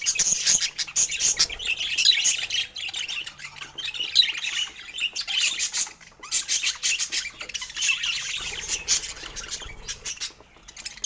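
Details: Pet budgerigars chirping while eating fruit: dense, scratchy warbling chatter with rapid high chirps and squawks, pausing briefly near six seconds, then resuming.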